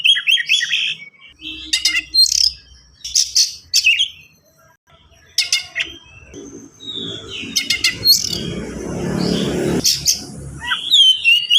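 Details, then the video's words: Oriental magpie-robin delivering rapid 'gacor speed rapat' song for young birds to learn from: choppy high chattering bursts and sharp whistles repeated irregularly, with a harsh rushing noise for a couple of seconds near the end. "KACER GACOR SPEED RAPAT"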